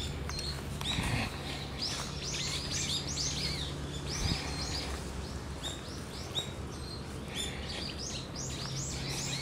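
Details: Brown-eared bulbuls giving a steady run of sharp, high, downslurred raptor-alarm notes against a constant low hum on 14 November 2013; a goshawk was later seen flying there, chased off by crows.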